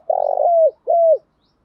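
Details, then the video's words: Female spotted dove decoy cooing to attract males: a long vibrating, purring coo that smooths into a level tone and drops, then a shorter clear coo that falls away. Clean recording. "Tiếng chim cu gáy mồi giọng lôi cuốn hấp dẫn đủ bài[ THÚC GÙ , GÁY GỌI ]"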